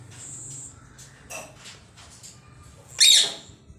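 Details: Faint chirps and clicks, then a single sharp, harsh squawk from a green pet parrot.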